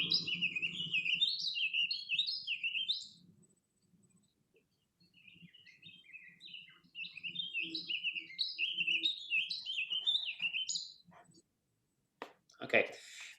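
Warbling Vireo song: two long, rambling phrases of quick, slurred notes rolling up and down, each about three to five seconds, ending on a rising note. Faint room hum and a clatter follow.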